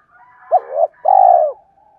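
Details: Spotted dove cooing meant to set off other doves: a sharp rising note, a wavering slide and a sustained mellow coo that tapers down, then a faint soft tail.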